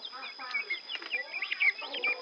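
Helmeted guineafowl chicks cheep in a busy chorus of high, short, overlapping peeps.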